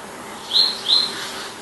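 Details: Palestine sunbird giving two short, bright, high chirps about a third of a second apart, with faint background hiss.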